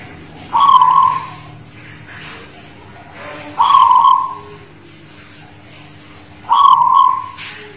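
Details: Zebra dove of the Guling Murio line, Muria mountains near Kudus, in full song (manggung): three short, rich cooing phrases, each a quick clipped note followed by a drawn-out rolling coo, repeated roughly every three seconds.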